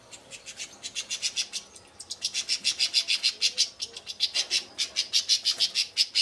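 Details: European goldfinch from Šuto Orizari singing a fast series of bright, high twittering notes, about three per second, with a short pause near the start, then an even stream of chirps.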